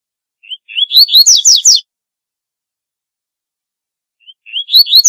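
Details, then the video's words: Double-collared seedeater song: a rising series of clear whistled notes leading to several loud downward-slurred sweeps, then the next phrase beginning after a pause of nearly three seconds. "Corbatita Canto Para LLamar 2 - Double-collared Seedeater Call Song - Sporophila Caerulescens"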